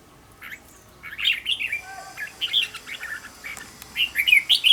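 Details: Red-whiskered bulbul song used to coach a bird: a quiet start, then fast, chattering strings of sweet warbled notes rising and dipping, with a faint steady tone briefly behind them.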